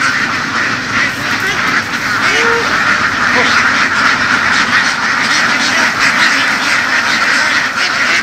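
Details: Herded laying ducks foraging across fields in rural western Vietnam: many birds quack at once, producing a thick, ceaseless stream of harsh nasal calls, with one brief clearer tonal note near the middle.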